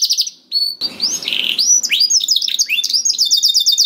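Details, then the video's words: Canary song for stimulating a canary that is slow to sing: a short pause, then a harsh buzzy rattle, followed by varied sweeping whistles and a rapid high trill at the end. "PANCINGAN KENARI SUSAH BUNYI AUTO NYAUT GACOR TANPA HENTI || VOICE OF CANARY"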